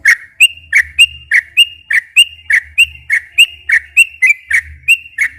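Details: Repeated whistled phrases of a sooty-headed bulbul, long 'ropel' style song used as a lure for captive bulbuls. Paired notes, one lower and one higher, repeat steadily about every half second over a faint low drone.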